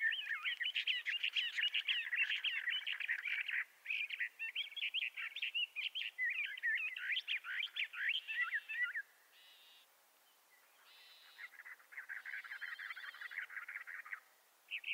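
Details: Bendire's thrasher of the southwestern United States and northwestern Mexico singing a long, rapid run of warbled, varied phrases, continuous for about nine seconds, then after a brief pause a second stretch of quick chattering notes resumes; clean, quiet background.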